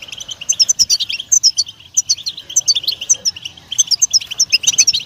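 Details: Lively European goldfinch song of rhythmic, rapidly repeated tinkling chirps and buzzy twitters in bursts, with a short lull near the middle.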